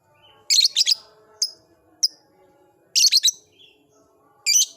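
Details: Caged lovebird in an old cage, beginning its ngekek song: bursts of shrill, high, scratchy chirps, some doubled or tripled, separated by short pauses, with a faint low hum behind.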